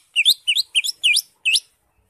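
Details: Green leafbird song played to prompt a caged bird to sing: five quick high chirped phrases, each a rising then falling slurred note, delivered in a rapid burst over about one and a half seconds on a clean, quiet background.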